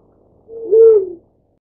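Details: Black-chinned fruit dove feeding its young; a single deep, soft hoot-like coo, building from a faint start to a fuller tone and ending abruptly, background silent.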